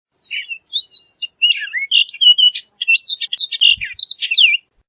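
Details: Orchard oriole song: a rapid, varied run of clear whistled notes and slurred chirps, some rising and some falling, delivered in one continuous burst of about four and a half seconds against a silent background.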